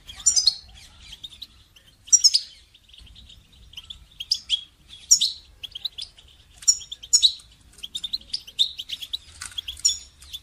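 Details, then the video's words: Goldfinch song for training songbirds: short clusters of high, sharp chirps every second or two, mixed with brief twittering runs that grow busier toward the end. A low hum is heard beneath. "goldfinch song training"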